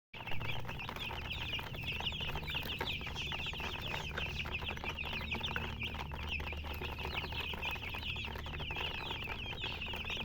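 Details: Many baby chicken chicks chirping together in a dense, continuous chorus of rapid, high, wavering peeps with a low steady hum underneath.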